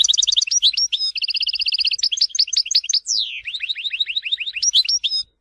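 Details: European goldfinch from Tizi Ouzou, Algeria, in full song: fast rattling trills, twangy repeated notes and a long run of downward-slurred chirps, continuous and bright.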